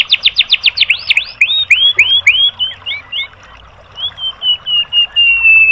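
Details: Training song of a white-rumped shama for caged birds, aimed at provoking response: a rapid run of sharp descending notes, then looping slurred whistles, a brief pause, and a long drawn, gently falling whistle.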